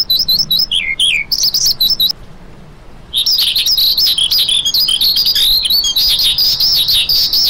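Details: High, quick chirps and downward slurs from a lark break off for about a second of near quiet, then resume as a dense, buzzy, trilling warble that runs on without stopping.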